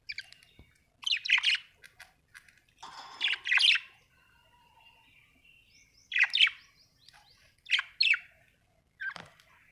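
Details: Pet budgerigars at home giving bright, scratchy chirps and warbled chatter in short bursts spaced over several seconds, with quiet pauses between the phrases.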